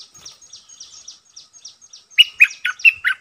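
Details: Captive red-eyed bulbul decoy. Faint, evenly spaced high chirps give way to a loud burst of five bubbly, slurred whistles.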